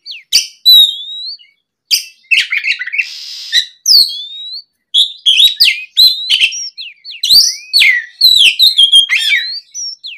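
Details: Afternoon song of an oriental magpie-robin in full voice, played to lure untrained birds into replying. Bursts of high whistles, chattering trills and a harsh buzzy note, separated by short pauses.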